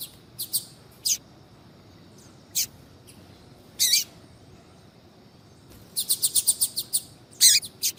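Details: A female double-collared seedeater (Sporophila caerulescens) calling, used to stimulate males to sing, gives short, high sharp chips, single and in quick bursts, ending in a fast run of repeated notes; the background is quiet.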